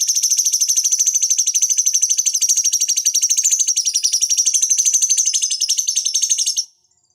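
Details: Cucak cungkok bulbul used to train fighting birds: one unbroken, very rapid high chattering trill of evenly spaced pulses lasting over six seconds, then silence.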